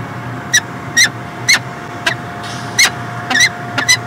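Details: Peregrine falcon in Montreal, Canada, 2016, giving harsh, ringing call notes about twice a second, each with stacked overtones, over a steady low hum and background noise.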